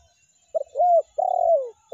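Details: Lure-call phrase of a spotted dove in the meratus and melambung styles. A short stuttered note and an arched coo come first, then a long descending coo, and the next phrase starts at the end.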